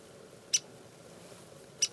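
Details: At Bosque del Apache, a Ladder-backed Woodpecker gives two sharp, high pik notes a little over a second apart, against a quiet background.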